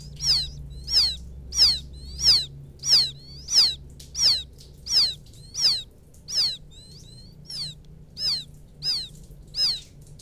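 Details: Young field quail calling for its mother with a steady series of piercing, high, downward-sliding whistles. The notes come roughly every two-thirds of a second at an even volume, over a faint low hum.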